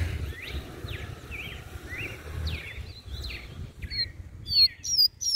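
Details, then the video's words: Mateiro song of a double-collared seedeater, played to stimulate males: falling whistled notes repeated roughly every half second, ending in a loud cluster of high, pure rising and falling whistles, with low rumble behind. "Canto do coleiro MATEIRO Pra esquentar macho."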